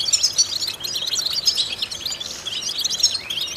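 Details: Goldfinch song used to stimulate and train goldfinches: quick, high twittering phrases of bright chirps and rolling buzzy notes, delivered almost without a break.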